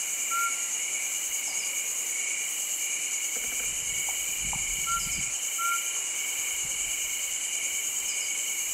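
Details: At Lansdowne in Uttarakhand, a mountain scops owl utters brief clear whistles, one early, then two close together midway, set against constant high insect trilling with faint low rumbles.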